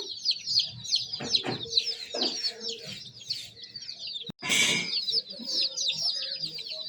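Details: A group of baby chicks keeps up soft, high, rapid chirping; short clattering knocks sound early on, a sharp click follows, then a loud rustling burst before the peeping resumes.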